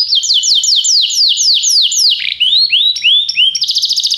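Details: Canary song for training: slow repeated high downward-sweeping whistles about four per second, then rising slurred notes, ending in a quick, high trill.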